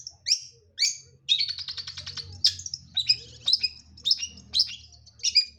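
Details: Long-tailed shrike singing in full voice from one perch: sharp high chirps and harsh notes, with a rapid rattling trill in the middle, then a run of separate clipped phrases spaced about half a second apart.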